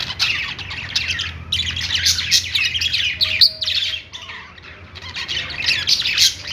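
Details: Budgies on a perch chirping and singing, a dense run of rapid twittering notes broken by a short pause, then resuming in lively warbled phrases over faint background hum.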